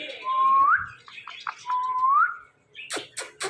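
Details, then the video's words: An Indian ringneck parakeet gives two clear, level whistles that sweep upward at the end, with soft twittering between them and a few sharp clicks at the close. "Funny Indian Ringneck Talking Parrot"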